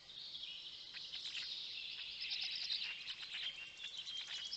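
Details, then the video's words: Black storks at a nest in Notecka Forest, Poland, at 6:09 am on 19 May 2020, as a parent feeds the storklets and the smallest chick lags behind. Dense, high-pitched chirping runs continuously throughout. "Polish Black Stork~Parent is feeding the storklets"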